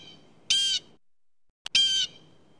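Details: Blue Jay calls: two harsh, nasal screams, each about a third of a second long and about a second apart, loud and rasping over a quiet background.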